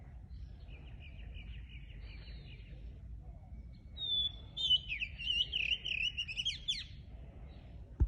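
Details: Wild songbirds in the Japanese countryside: a soft rapid trill first, then a louder twittering phrase of jumbled high whistles and chirps, over a quiet low hum.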